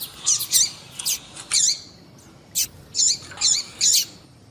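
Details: Female double-collared seedeater (papa-capim) calling ('piadeira'), used to stimulate males: short, sharp, high chirps in irregular clusters, with several spaced notes toward the end.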